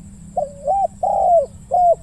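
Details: Deep-voiced 'ku-ang' coos of a spotted dove during decoy hunting around 17:00. Three low coo phrases: a two-part rising hoot, a long drawn-out downward coo, then a shorter one, over a faint steady hum.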